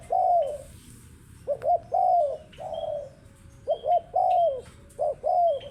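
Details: Spotted dove giving its cooing call: a repeated phrase of two short quick coos followed by a longer drawn-out coo, given three times in about six seconds, with faint higher chirps from other birds behind.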